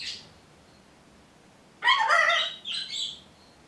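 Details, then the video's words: Pet macaws kept indoors, a Green-winged Macaw and a Ruby Macaw, vocalising: two harsh, speech-like bursts close together, the second higher and shorter, after a faint earlier note. "Parrots Talking"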